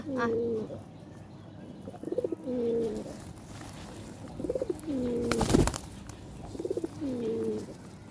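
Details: Domestic pigeons gathering at feeding time with hens nearby: repeated low cooing phrases, each a short rise then a drawn-out falling tone, roughly every two seconds, with a burst of flapping midway.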